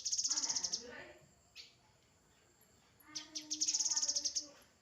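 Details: Grey-headed canary-flycatcher singing: a quick, high trill of bright repeated notes at the start, a pause, then a second long trill. Faint lower tones run beneath.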